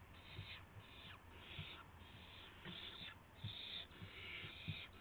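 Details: Owls at dawn, March 26 2016, receiving a gopher and a mouse. Overlapping wheezy hisses, some dipping in pitch at the end, mixed with repeated soft thumps and scuffling.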